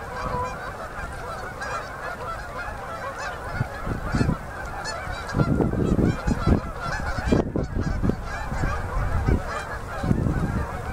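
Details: Autumn migrating Canada geese by the thousands settling onto a river in Manitoba, Canada, at sunset, October: a thick wall of honking, broken by repeated low thuds and splashy bursts as birds land.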